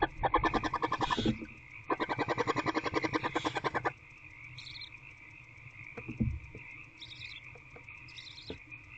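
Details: Barn owl in a nest box near midnight on 2/6/24 as prey arrives: two rapid, buzzy chittering runs of evenly spaced pulses, each lasting about one to two seconds, followed by faint high chirps, a low thump and a steady hum.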